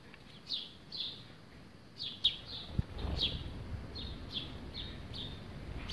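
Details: Sparrow bathing at a terracotta water feeder, giving high descending chirps about once a second, with a couple of sharp clicks and a low rumble of background noise.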